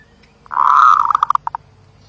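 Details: Zebra dove giving a single cooing phrase: a loud, rolling, mid-pitched burst that breaks up into a string of short staccato notes, spaced further apart toward the end.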